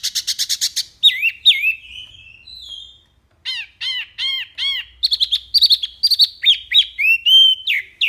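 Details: Wambi (mini) in full, loud, clear song, recorded as a tutor track for songbirds. A fast rattling series opens it, followed by swooping whistles, a run of arched chirps and a lively chain of rising and falling notes.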